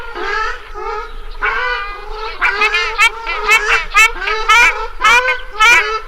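Ruddy shelduck calling with loud, nasal, goose-like honks, about two per second in an uneven run, some sharper and higher than others.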